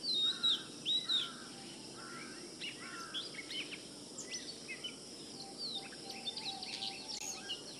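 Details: Oriental magpie-robin from Kerala, India, singing a series of clear whistled phrases, loud sweeping notes at the start, then softer rising and falling whistles repeated about every second against steady background hiss.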